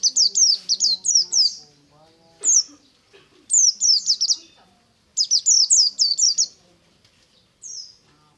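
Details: Pleci white-eye singing ngalas in the morning: rapid strings of high, downward-sweeping notes in bursts of four to six, separated by short pauses, faint low murmuring beneath.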